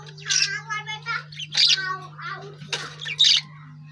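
A lovebird gives shrill, buzzy chirps and harsh squawks in short bursts about every second, over a steady low electrical hum.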